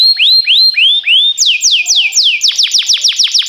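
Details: Canary singing for training, timbrado type: rising whistled notes, then quick downward sweeps, then an even faster series of sharp descending notes.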